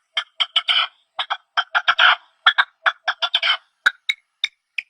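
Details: Partridges in their natural habitat giving harsh, buzzy chirps in quick clusters of two to four notes, pausing briefly between bursts, then ending with a few sharper, spaced notes; no other sounds.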